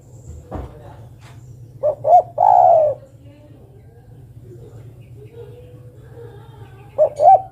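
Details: Female spotted dove calling to the male: two short rising coos, then a long, steady, drawn-out coo, with a similar pair of short notes at the end. A click is heard early, over a low steady hum.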